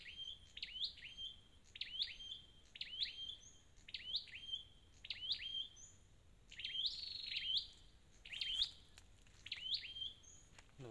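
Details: Wild-caught red-headed flowerpecker singing high, thin flicked notes that rise at the end, repeated roughly once a second for about eleven seconds. Some louder, buzzier phrases come late, then a brief low sound at the end.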